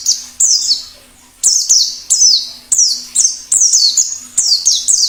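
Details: White-eye singing wild plengi ngalas style, for luring: bright, piercing notes that drop sharply in pitch, delivered in quick pairs roughly every two thirds of a second, a low hum in the background.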